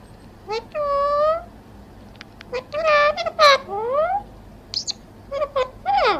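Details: Talking parrot repeating Hindi phrases such as "Mithu Radhe Radhe": a run of strained, nasal speech-like syllables with sweeping rising and falling tones, broken by short clicks and pauses, low background hum.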